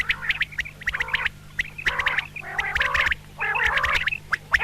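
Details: Female common quail giving double calls: bursts of nasal, squawky, harmonic notes in clusters about a second long, separated by short pauses, with a faint steady low hum underneath.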